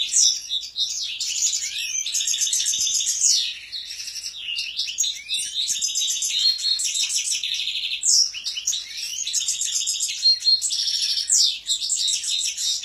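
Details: Singing European goldfinches: a long, dense, unbroken flow of high, liquid twitters, buzzy trills and quick tinkling notes, with brief dips in loudness between phrases.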